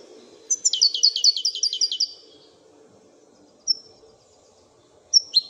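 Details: European goldfinch, called a royal goldfinch, singing a fast run of bright, chirpy, trilled notes for about a second and a half, followed by two brief high whistled notes after a pause; faint low hum underneath.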